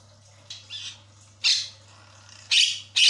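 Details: Javan myna lure recording meant to make a quiet bird chatty: a couple of soft rasping notes, then three loud harsh squawks about a second apart, with a steady low hum.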